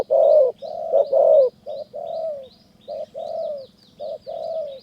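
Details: Thai decoy trapping of spotted doves in high forest of Kanchanaburi's mountains: rich, rounded coos, some long and gently falling, some short and clipped, while small birds twitter thinly and repeatedly in the background.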